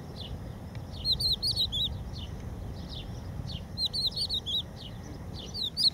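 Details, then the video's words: Crested lark singing on a protected beach refuge at Empuriabrava: clear, slurred whistled notes in two quick bursts of rising-and-falling phrases, with softer scattered notes between, over a steady low rumbling background. "song of the crested lark - Gesang der Haubenlerche - Cogullada"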